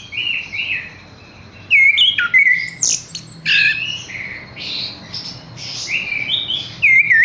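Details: Caged Horsfield's bush lark singing separated phrases: wavering whistles, buzzy notes and high squeaks, each burst lasting about a second, with quiet gaps and a faint low hum between.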